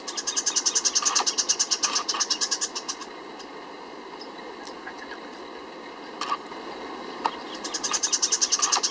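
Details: Rufous-fronted thornbird (Phacellodomus rufifrons), one bird, gives fast, dry chattering bursts of sharp notes, a few seconds each, over a steady insect hiss; Reserva Tara Inti, Termas de Río Hondo, Santiago del Estero, Argentina, 24 June 2012.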